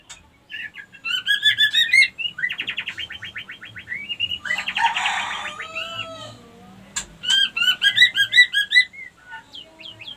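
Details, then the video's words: White-rumped shama female lure song, used to make other females eager to breed; loud varied phrases of quick repeated notes, a rattling series, a dense buzzy outburst, then more bright, rhythmic chirped runs. "pancingan murai batu betina kurang birahi auto naik birahi ngleper minta kawin"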